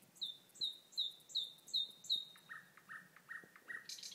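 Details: Common nightingale singing in May in eastern Bornholm, Denmark: a string of six high, thin notes repeated about every 0.4 seconds, then a lower run of short, rough notes, heard at a distance.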